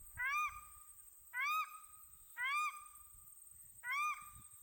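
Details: A paradise shelduck on a New Zealand valley lake, with newly hatched ducklings on their first afternoon on the water, gives four clear, arched, slightly nasal calls about one every 1.2 seconds over a steady high hiss.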